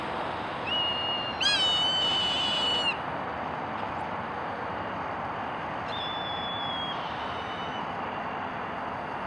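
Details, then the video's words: Hawk screaming: a long, harsh, high-pitched cry early on, then a fainter, thinner, slightly falling scream a few seconds later, over constant broadband hiss. "Hawk's Piercing Cry"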